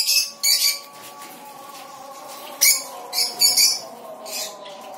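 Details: A breeding pair of lovebirds in a bird-breeding colony in Tripura gives sharp, shrill chirps in quick bursts over a steady low hum.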